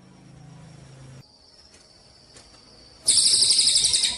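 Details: Javan munia on a training recording for contest songbirds: a faint low hum and a thin steady tone, then a loud, high, buzzy pulsed trill bursting in for the final second.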